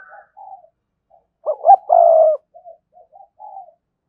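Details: Spotted dove kept as a decoy bird with a strong, lively voice: soft low coos, then a loud emphatic double coo and a long sustained coo, followed by quieter scattered coos.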